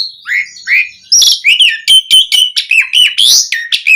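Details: Asian pied starling song meant to provoke other starlings into singing: a rapid, varied jumble of whistles, sliding notes and harsh chattering phrases delivered almost without pause, bright and high-pitched, nothing else audible.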